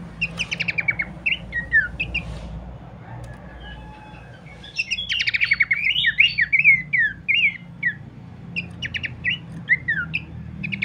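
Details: Abbott's babbler, sung to prompt other birds into song: clusters of sharp buzzy stutters alternating with bright, falling slurred whistles, phrases separated by brief pauses, a constant low hum underneath.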